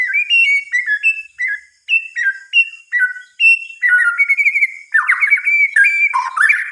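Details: White-rumped shama singing at night: clear whistled phrases that step between lower and higher notes, each repeated in short bursts, then faster varied warbling and twittering toward the end.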